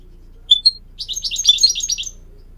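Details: Goldfinch song used to teach young birds to sing: two short, high, sharp chirps, then a fast, twittering run of buzzy, slurred notes lasting about a second, with a faint low hum underneath.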